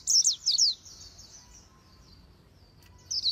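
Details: Vietnamese voice-trained Oriental white-eye in fast 'líu đấu' contest style: a quick cluster of four high, swooping whistles, then near silence, then a brief final pair of notes.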